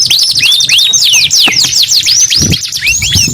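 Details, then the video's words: Canary singing in quick bursts of sharp, arcing whistled notes, rising and falling in rapid succession, with brief pauses and faint low thumps behind. "KENARI GACOR 2 IN 1 | CANARY SINGING"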